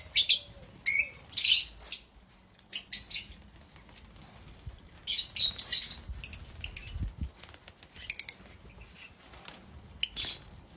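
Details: Happy African lovebirds chirp in loud, harsh, high-pitched bursts, several in quick runs with short pauses between, plus soft rustling.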